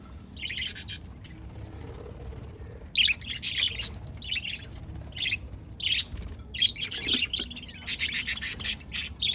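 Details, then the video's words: Budgerigars recorded on 22 January 2024 giving repeated bursts of scratchy, buzzy chirps and warbling chatter, sparse at first, then nearly continuous toward the end. "Lovely budgies sound and chirping"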